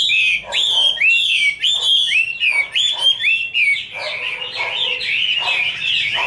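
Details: Female Chinese hwamei in song, a male in the background, kept bird: loud, clear whistles with falling slurs in quick succession, then a busier warbled passage of mixed notes.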